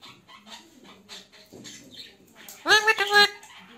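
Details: Parrot talking in Hindi or Urdu, said to say "Mar mithu Mar": soft murmuring first, then a loud, harsh, strongly harmonic burst of three quick rising and falling syllables near the end, with faint background voices.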